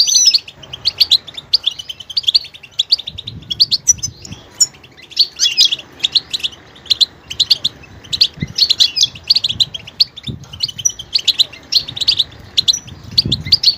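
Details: Goldfinch pouring out a long, varied song of fast high twittering phrases and chirps, almost continuous, with occasional soft low thuds in the background.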